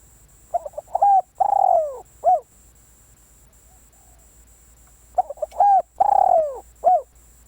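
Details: Spotted dove used to lure others: repeated phrases of two or three quick stuttered coos, a clear level coo, a long rattling descending coo and a short end note, about every four to five seconds.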